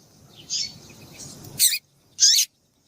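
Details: Female variable seedeater calling to stimulate a male to sing: short, sharp high chirps, one faint at half a second, then two loud bursts a little over half a second apart, each sliding downward.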